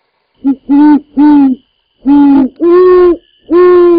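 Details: A Scimitar-billed woodcreeper feeding on the ground gives six low, nasal, reedy notes, each about half a second long, in two loose groups with a short pause between them.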